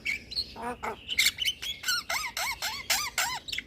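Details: Javan myna singing to lure and train moulting mynas: harsh rasps and then a regular series of arched, squeaky whistled notes repeated about four times a second.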